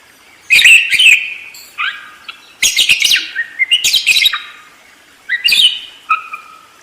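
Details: Budgerigar giving a busy, fluent warble: scratchy chirps, clicks and drawn-out nasal notes come in several dense bursts separated by short silences.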